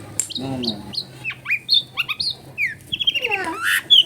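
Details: Long-tailed shrike in full energetic song, used as a lure to stir a lazy bird into singing, recorded at home in a crowded neighbourhood; a varied run of sharp whistles, slurred upward and downward notes and harsh chips, with faint background noise.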